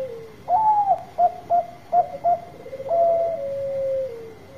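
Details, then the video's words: Loud Bangkok zebra dove in full song, played to prompt lazy birds to sing. Mellow cooing phrase: a stretched bright note, four punchy short notes spaced about half a second apart, then a long even coo gently sliding down. A thin constant hum sits behind. "Suara Besar Perkutut Bangkok Gacor Obat Pancinga yang lagi Males Bunyi"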